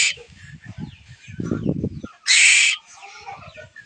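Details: A young pet Asian koel chick, raised at home, cries for food with a loud, harsh, hissing begging screech lasting about half a second, amid faint chatter and low thumping handling sounds.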